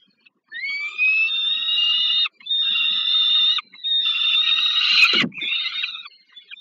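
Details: Young peregrine falcon receiving food at the Żerań power plant nest in Warsaw, Poland, on 15 August 2022. Three long, steady, whining wails of a second or more each are followed by a sudden harsh crackle and a trailing call.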